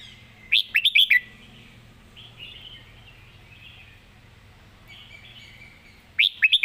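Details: Singing-contest red-whiskered bulbul in master-song style: a rapid string of loud, clipped, warbling notes, then faint chatter, then the next phrase beginning at the very end.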